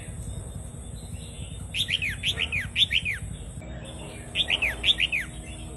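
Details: Vietnamese-type red-whiskered bulbul singing a doubled song, played to teach young birds and excite other birds; two bursts of four to five clear, downslurred whistled notes, separated by a pause, over low background hum.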